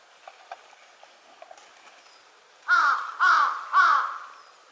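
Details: A large-billed crow at Konuma lake, 20 April 2022, gives three loud, hoarse caws about half a second apart, after a few faint clicks and rustles.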